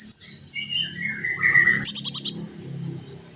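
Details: Kolibri ninja sunbird in a training recording meant to make birds sing: thin slurred whistled notes, then a quick run of five very high clipped chirps and a faint final tweet, with a low background hum.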